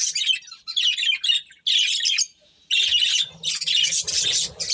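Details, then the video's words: Budgie breeding pair calling in harsh, scratchy chirp bursts about a second long, separated by short gaps, with soft low rustle beneath the later calls. "Cute Budgies Chirping Sounds | Beautiful Budgies Breeding Pair"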